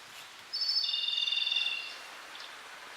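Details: Japanese robin in full song from an open perch at a small lake en route to Lake Kussharo, Hokkaido. A single high phrase: a sharp opening note dropping into a fast, even, rattling trill of about a second, then quiet.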